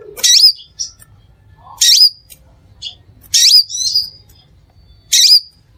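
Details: Crimson sunbird song used to lure other sunbirds: harsh, scratchy high twitter bursts roughly every one and a half seconds, some ending in a short whistled tail, with a few soft lower chirps between.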